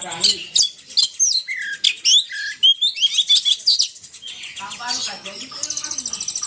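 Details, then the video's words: Poci bird lure sound from Indonesia: a dense run of high chirps, squeaky whistles and short squawks, with fast trilled notes near the end and a faint low murmur underneath. "suara pikat burung poci"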